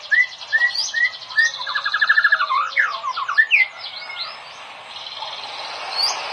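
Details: Lively white-rumped shama song for training other caged shamas: short upslurred whistles, then a rapid stuttering series of notes and looping slurred phrases, fading into background hiss.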